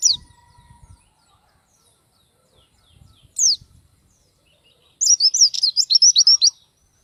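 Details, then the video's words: An Oriental white-eye gives two isolated high falling chirps, then a fast burst of thin, jumbled twittering notes for about a second and a half; faint low thumps early on. "Burung pleci gacor bongkar isian, sangat cocok buat masteran❗oriental white-eye/gacor pleci bird"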